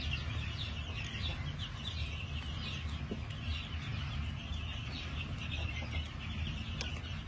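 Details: Chorus of New Hampshire chickens on a farm in March 2021, with crowded high-pitched cheeping and clucking notes running continuously above a low, even background drone.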